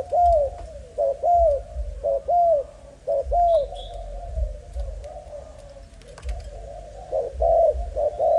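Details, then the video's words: Young male spotted dove of Malaysian stock, energetic despite a broken wing, coos in clear downslurred notes at the start and end, with a muffled, noisy stretch in the middle and faint chirps from other birds. "Cu gáy Malaysia"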